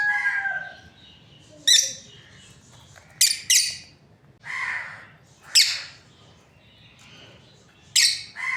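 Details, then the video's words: Lovebird breeding pair giving sparse, piercing chirps and double screeches mixed with lower, buzzier calls, with quiet stretches between. "Lovebirds parrot chirping sounds | breeding pair"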